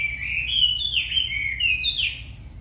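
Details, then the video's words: Wambi, said to be very tame, singing: a smooth, continuous warbled whistle that rises and falls in slow waves, over a low background rumble. "Wambi Gacor Super Jinak"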